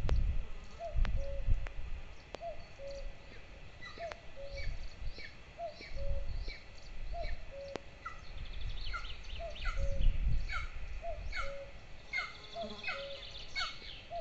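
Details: Two golden eagle chicks at a nest camera in Lahemaa, northern Estonia, on 22 June 2024, at breakfast feeding time, near a military training area. Short repeated mid-pitched notes, then bursts of thin, higher chirps over a low rumbling background.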